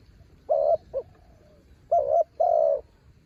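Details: Spotted dove kept as a branch decoy for luring wild doves, cooing two low phrases: each a short wavering note, then a drawn-out steady coo, with one brief extra note between them.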